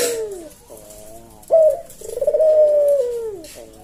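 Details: Caged-bird tutor recording of a Javanese collared dove's slow 'kuk deruk manggung' song. Soft low notes lead into a clipped, loud 'kuk', then a drawn-out, gently falling coo.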